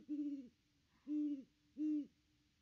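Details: Great Horned Owl, one of a pair at the nest tree on Christmas Day 2021, nest cam recording: three drawn-out, deep, even hoots, each about half a second long and about a second apart.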